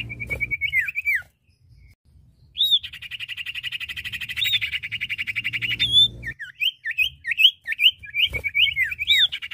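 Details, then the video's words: Common iora pair, male and female, singing: high whistled slurs around a long, fast, buzzy trill of about three seconds, then a run of quick looping whistled notes. "Suara Burung cipoh/sirtu jantan dan betina gacor!"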